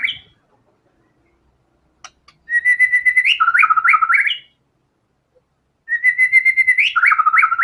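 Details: Energetic white-rumped shama song drawn from its learned filler material: two bright phrases, each opening with a sustained whistle and breaking into rapid stepped, bouncing notes. A brief call and a soft click sit between them, and the setting is otherwise silent.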